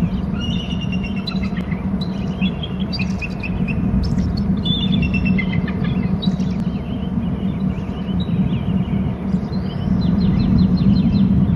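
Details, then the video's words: Bald eagle at its nest territory on Hornby Island, circling and calling before landing on a stump; high, thin chittering notes in quick uneven runs, slurring up and down, over a steady low rumble. "eagle in from the right, circling and calling"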